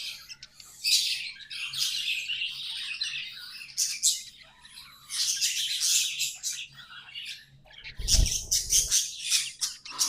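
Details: Pet budgies give a lively, high, scratchy warble of chirps and squeaks, with a dull thump near the end under a burst of louder sharp tweets.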